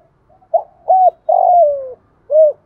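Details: Full four-part phrase from a calling spotted dove in thổ pha style: short note, hollow arched coo, long vibrating descending note, and a last rounded coo, loud and near.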